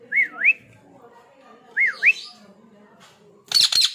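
A ringneck parakeet gives two wavering, looping whistles about two seconds apart, then a harsh, rasping squawk; faint room murmur underneath.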